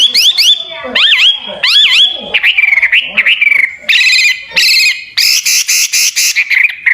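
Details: Hwamei song for training songbirds: loud looping whistled phrases sweeping up and down, then harsh buzzy bursts and a quick series of rasping notes.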